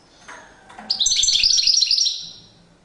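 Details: European goldfinch in nuptial display gives a soft note, then a loud, dense burst of rapid, high, chattering twitters lasting about a second before fading away.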